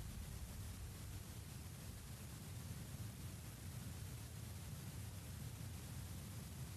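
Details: Quiet, even hiss of broadband noise with a soft low rumble, and no animal calls.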